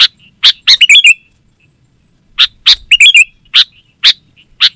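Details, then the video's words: Sooty-headed bulbul, used to lure wild birds in forest and to train caged birds: sharp, harsh chacks mixed with short twisting whistled phrases, in bursts separated by a quiet pause, with a faint high hiss throughout. "Suara Burung KUTILANG GACOR Terbaik Untuk Panggilan dan Masteran"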